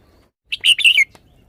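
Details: Red-whiskered bulbul performing its song style. A quick tumbling phrase of four or five bright chirps ends in a falling whistle, clear and close with no other noise.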